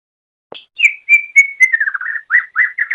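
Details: Greater green leafbird song from a long master recording used to train songbirds: a string of clear whistled notes near one pitch, then quicker slurred, warbling phrases, on a silent background.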